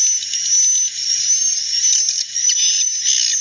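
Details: Edible-nest swiftlets, a natural recording: a dense, continuous high buzzy chatter with a thin sustained whistle-like tone running steadily above it, and no other clear sounds.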